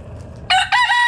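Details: Rooster from a backyard flock foraging in the morning, giving the start of a loud, harmonic two-part crow after a quiet moment.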